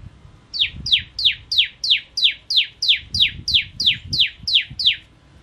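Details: Bar-winged prinia kept as a gacor masteran bird, delivering a steady run of thirteen bright, downslurred chips at an even pace, with low thumping knocks underneath.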